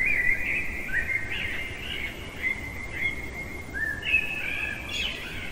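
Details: Common blackbird in full song in the middle of the night, delivering a nearly continuous string of mellow fluting warbles with small pitch jumps and a brief high squeaky flourish near the end, steady low rumble beneath.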